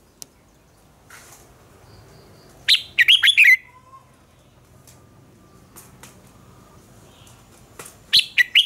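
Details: Red-whiskered bulbul contest song: one full phrase of quick, springy whistled notes near the middle and the start of another at the end, separated by quiet with faint ticks and clicks.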